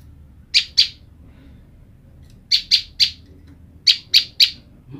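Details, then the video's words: A female olive-backed tailorbird, separated from her mate, calls for the male with sharp, high chips in quick groups of two and three separated by short pauses; the pair answer each other. "Prenjak lumut betina memanggil jantan"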